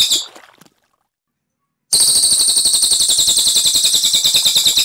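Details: A brief tail of a high trill fades into more than a second of silence. Then the Cililin restarts a fast, even, shrill rolling trill that continues to the end.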